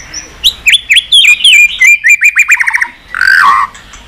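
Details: White-rumped shama song used to stimulate pet shamas to sing: a rapid run of sharp whistled notes and slurred chirps. The notes step down in a quick series, ending in a harsher, buzzy phrase.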